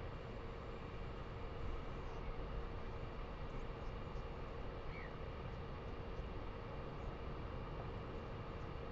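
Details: Steady low hum and broadband hiss with a faint tone running throughout, with no clear animal calls.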